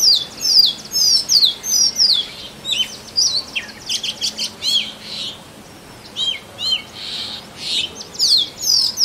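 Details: Oriental magpie-robin male serenading a potential mate in forest, delivering melodious whistled phrases of rising and falling slurs and trills, clustered in lively bursts separated by short gaps, with faint background hum.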